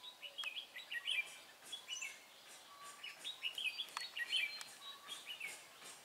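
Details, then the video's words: Red-whiskered bulbul used as a decoy for trapping, 23 March 2018, singing fast, bright whistled phrases, rising and falling, repeated in quick bursts about every second, with faint clicks and other birds behind. "Bẫy chào mào Mí lửa Bắn như AK ché rát"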